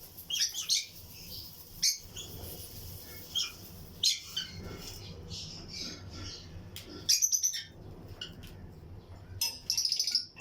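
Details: Lutino lovebirds in pairs in a breeding colony aviary, with other birds around. Shrill high chirps come in scattered bursts, some short squeaky clusters, over a low steady background hum.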